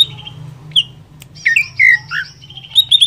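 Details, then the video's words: Greater green leafbird (cucak ijo) singing to excite other leafbirds: scattered high whistles and swooping slurred notes, ending in a quick trill, over a steady low hum. "Merangsang Cucak ijo Lain Cepat Emosi"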